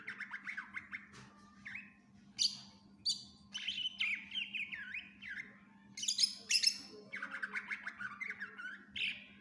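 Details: Energetic greater green leafbird song full of varied fills, used to tutor other birds: looping warbled whistles, bouncy slurred phrases and piercing high chips in a long, lively sequence, with constant low hum.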